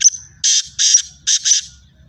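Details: Black francolin calling in fields in Pakistan. Harsh, rasping bursts come in a rapid rhythmic series, led by a thin high note, with quiet gaps between.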